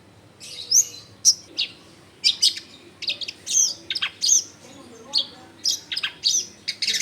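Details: Long-tailed shrike singing as a lure for other shrikes, recorded at home in a densely populated area: fast high scratchy chirps and short whistles in irregular bursts, with low background hum.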